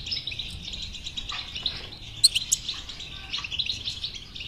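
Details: European goldfinch song played to stimulate a silent caged goldfinch to sing: dense, continuous high twittering with buzzy trills and sharp chirps, a few louder clicks near the middle.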